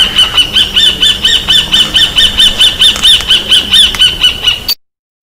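A Roadside Hawk gives a fast series of high, nasal mewing notes, about two per second, running steadily for nearly five seconds before stopping abruptly.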